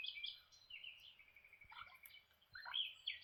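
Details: Lineolated parakeets having breakfast give soft, high chirps and warbling chatter, with quick bending notes repeated through a few seconds; quiet room background.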